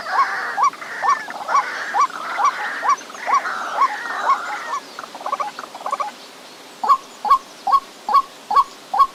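White-breasted waterhen giving a steady run of hollow, mid-pitched 'kook' notes, about two per second, over a harsher croaking chorus that fades halfway.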